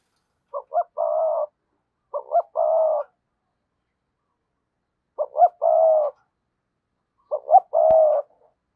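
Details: Spotted dove kept as a decoy bird, cooing in the sa gù and thúc bổi styles: four mellow phrases, each two short stuttering notes then a longer steady coo, separated by pauses of one to two seconds.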